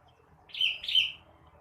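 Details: Blue-winged leafbird singing in the morning, a song used to stimulate untrained birds: two quick, high, slurred chirps in close succession, with a faint low background hum.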